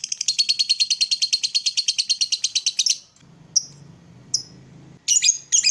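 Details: Lovebird ngekek trill, played in the morning to excite other lovebirds: a loud, fast run of high chattering notes for three seconds, then scattered short calls and a closing burst of harsh chatter.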